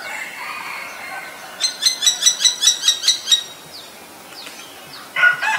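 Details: Common Myna in Ubon Ratchathani, Thailand, recorded on May 3, 2022: a fast run of about nine harsh, clicking notes in under two seconds. Thin descending whistles from other birds sound behind it, and a brief crowing note comes at the end.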